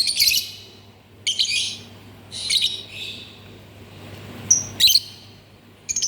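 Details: Lovebird uttering several short, scratchy high chirp bursts at irregular intervals, with a brief thin whistle near the end, over faint low hum.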